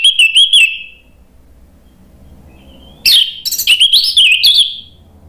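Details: Orange-headed thrush, or anis merah, giving song to coax a bird into singing: a short burst of quick whistled notes, about two quiet seconds, then a longer loud phrase of mixed clicks and slurred whistles.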